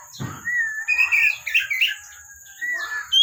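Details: Captive Oriental magpie-robin in active song, giving a low click, then level whistled notes and a warbled cluster of rising phrases before another drawn-out whistle, with a steady high hum throughout.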